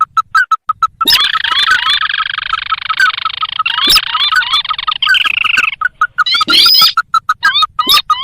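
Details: Recording of the sintar, a paddy and swamp bird, used as a trapping lure: a few short notes, then several seconds of loud continuous chattering with rising whistles, ending in short upslurred calls.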